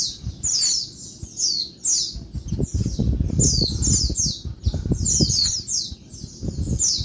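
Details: Noisy daytime calls of a female Oriental white-eye, used to rouse males: rapid high squeaks sliding downward in doublets and triplets, accompanied by low knocking and rustling throughout.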